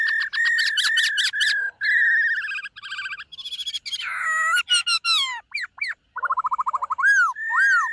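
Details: White-cheeked laughingthrush in morning song training, a dancing singer: continuous loud whistled song of steady notes, rapid trilled bursts, downward-sweeping slurs and arched whistles, densely packed with only brief pauses.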